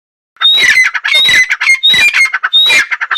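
A female painted francolin gives loud, harsh, grating squawks mixed with short whistled notes, in rapid bursts about four times in three seconds.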